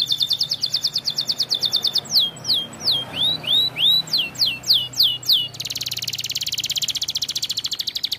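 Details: Canary of the pocong variety singing to stir up rivals: quick high trills give way to loud, looping downward and upward slurred whistles, then a dense, rapid buzzing roll.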